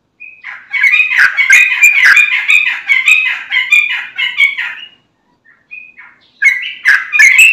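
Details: Vigorous sooty-headed bulbul song used as a lure so other bulbuls answer: a long, dense chattering stream of bubbly whistled notes for four seconds, a brief pause with a lone note, then another loud burst.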